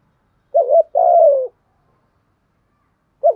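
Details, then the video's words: Spotted dove in the 'thúc gù' urging coo of the 'giọng thổ' style, used by keepers to train birds and lure others: a short wavering coo, then a longer steady coo falling slightly at the end, and a third coo beginning after a pause. "cu gáy thúc gù cu gáy giọng thổ"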